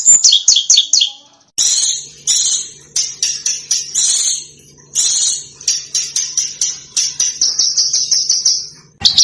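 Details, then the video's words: Master recording of small birds for teaching contest cage birds, sharp 'tembakan' style: very high, dense chattering trills in several runs separated by short gaps, with a faint low hum underneath. "Suara BURUNG KECIL !!! MASTERAN BURUNG KECIL TEMBAKAN TAJAM DAN SUPER PEDAS"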